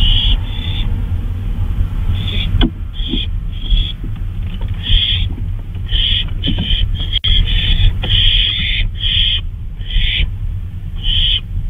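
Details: Owl calling around 2:39 AM on May 26, 2013, while flying about at night: a long irregular series of short raspy hisses, some close together, with a few sharp clicks over a constant deep rumble.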